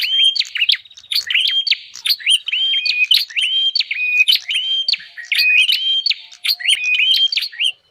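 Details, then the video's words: Bar-winged prinia calling as a bird lure, a steady run of loud chirped phrases: flat whistled notes broken by crisp high clicks, repeated almost without pause. "Suara pikat burung prenjak paling ampuh"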